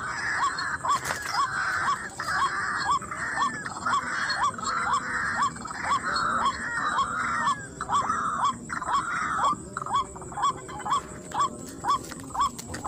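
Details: A lured white-breasted waterhen calls in a rice field, with a male noted. Rhythmic hooked notes run about twice per second, layered with a throaty repeated rasp and faint steady high-pitched background tones.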